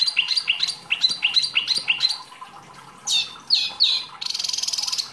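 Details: Wambi, a small kept songbird singing actively as masteran training material: rapid bursts of high, sharp chirps repeated about three times a second, then a downslurred pair of notes and a fast buzzy trill at the end.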